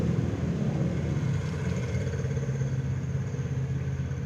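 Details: A steady low engine rumble with idling hum throughout, and no animal voice.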